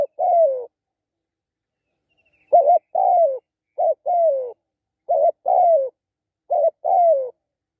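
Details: Close spotted dove cooing: one falling coo, a pause, then four regular short-then-long pairs with descending endings. The background is clean.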